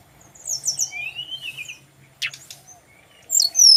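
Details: Male brown-chested jungle flycatcher song used for training birds: a soft high trill, then a thin wavering whistle, a harsh rattle and a loud bright whistled flourish at the end.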